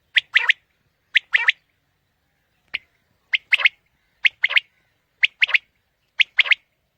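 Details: Quail call used to attract quail for hunting in the morning: sharp, high three-note phrases, a lone note then a fast pair, repeating roughly every second in near silence.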